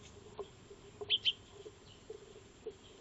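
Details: Backyard Eurasian tree sparrows, known locally as Maya birds, feeding on 02-03-2025, picked up by a solar-powered trail camera; two quick bright chirps in close succession, with soft faint ticks and a constant low hum behind.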